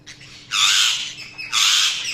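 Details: Budgerigar chirping: two harsh, broadband squawks about a second apiece, the second starting near the one-and-a-half-second mark, preceded by a fainter raspy note, over a steady low hum.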